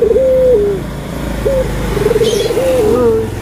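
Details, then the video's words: Barbary dove (puter) anggungan coo, from a comparison of white and brown doves: a level coo sliding down, a short note, then a trilled phrase, over a low background rumble with faint higher chirps. "PERBEDAAN SUARA ANGGUNGAN BURUNG PUTER PUTIH DENGAN PUTER COKLAT"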